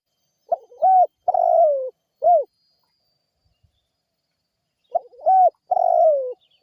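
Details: Spotted dove calling vigorously as a lure meant to draw responses from other birds: a soft short note, a clear rising coo, a long drawn-out falling coo and a brief final coo, the phrase given twice with a pause between.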